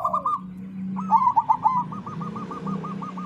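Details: Crossbred zebra dove (perkutut crossing) song used as a lure to get other doves singing: bubbly, rolling coos at mid pitch that end in an evenly repeated string of short looping notes, over a steady low hum.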